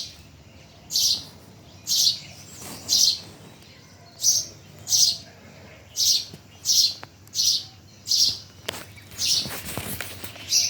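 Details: Bhimtal birdsong of steady, high-pitched chirps: about fourteen short, buzzy notes, spaced roughly every 0.7 to 1 second, over a soft background hum with occasional faint clicks.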